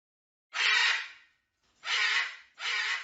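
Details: Three loud, broad, hoarse squawks from a hyacinth macaw, the first longest and fading out, then two shorter raspy calls in close succession after a pause.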